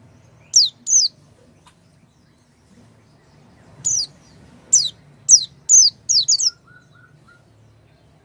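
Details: Oriental white-eye chirps meant to coax a white-eye that has stopped singing: two high downward notes, a silence, then a loose run of thin descending chirps with faint short whistles beneath.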